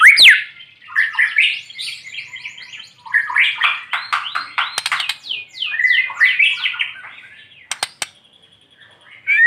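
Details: White-rumped shama (murai batu) singing while sunned in the morning, meant to stimulate quiet shamas: long run of rapid chattering and whistled notes, varied and mimic-like, with a few sharp clicks.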